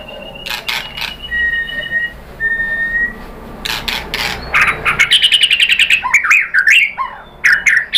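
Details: Shama, locally murai batu, pancingan song meant to provoke a reply. Steady held whistles at two pitches give way to a fast rattling trill of rapid repeated notes, then looping whistled sweeps.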